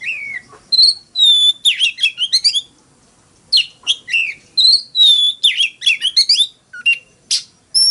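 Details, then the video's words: Caged Oriental magpie-robin giving a fighting song of pure sustained whistles followed by fast stuttering chirp series, one pause of about a second, then more whistles and twitters. "Tiếng than mồi hót đấu"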